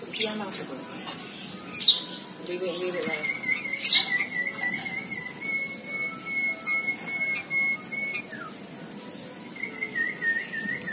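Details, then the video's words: A white-headed munia tutored with canary song sings a canary-like song: a long, steady high whistle held for several seconds between soft chirps and twitters, with faint background murmur. "Burung Emprit Kaji isian Kenari | full kenari"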